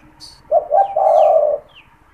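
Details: One phrase from a frequently calling captive spotted dove used for trapping wild doves: two short low notes then an extended coo, while other small birds give thin, falling high chirps.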